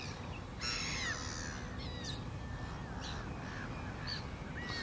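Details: A loud, drawn-out nasal yelp from a black-winged stilt, followed by shorter, fainter yapping calls from other birds over a steady low rumble.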